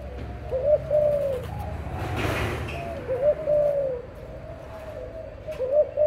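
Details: Parent spotted doves calling: three separate coo phrases about two and a half seconds apart, each a quick rising note sliding into a longer falling coo, with a noisy rustle in between.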